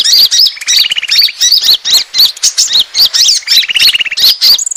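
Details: Lure call of the Asian glossy starling, used to attract birds: shrill, squeaky whistled notes in quick succession, broken by two lower, buzzy rattling trills about three seconds apart.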